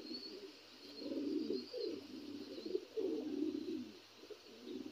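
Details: Low, throaty cooing from a black Lahori pigeon, three or four rolling bursts over five seconds against a soft background hum.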